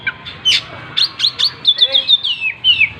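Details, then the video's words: Oriental magpie-robin singing vigorously as it opens its tail; a fast sequence of sharp chirps flows into sweet, sliding whistles that dip in pitch, with barely a pause between notes. "Burung Kacer gacor buka ekor"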